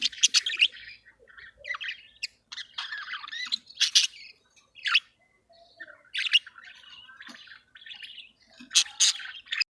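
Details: Caged budgerigars in heat, mating and regurgitating food; lively, scratchy chattering warble mixing buzzy, wavering notes with loud, harsh squeaks in bursts separated by brief pauses, in a quiet room.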